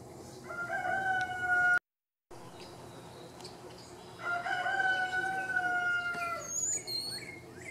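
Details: Rooster (domestic chicken) crowing twice on 19 April 2021 near Anahuac National Wildlife Refuge and High Island, Texas: long, drawn-out, slightly falling cries over a second each, followed by thin, high chirps from small birds.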